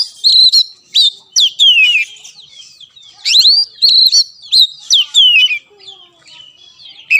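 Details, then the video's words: Oriental magpie-robin master song for a reluctant caged bird: bursts of clear whistles and sweeping slurs in short phrases, separated by brief quiet gaps. "BUAT KACER MACET || SOLUSI MASTERAN MUJARAB"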